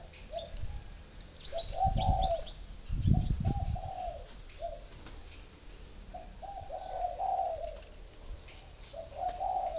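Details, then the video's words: Caged spotted dove from northern Vietnam, a three-year-old decoy bird, giving low cooing phrases in repeated groups of soft notes, over a steady high insect whine and a few low thumps. "chim cu gáy hay miền bắc Mồi 3 năm"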